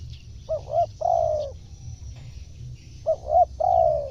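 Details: Spotted dove call meant to attract wild birds: two quick soft hooting notes followed by a longer sliding coo, the phrase given twice roughly two and a half seconds apart, low rumble behind.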